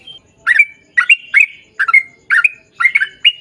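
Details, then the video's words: Sooty-headed bulbul in 'gacor' song used as a lure recording; six rich, bubbling double notes, each ending in a short whistled tail, spaced roughly half a second apart. "KICAU SUARA trucukan gacor ROPEL PANJANG"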